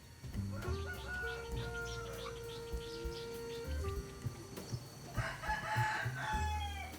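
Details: Domestic chicken rooster in the Thai countryside crowing a hoarse, strained, rising-and-falling call, recorded with a parabolic microphone for a study comparing domestic crows with red junglefowl; music and low rumble behind.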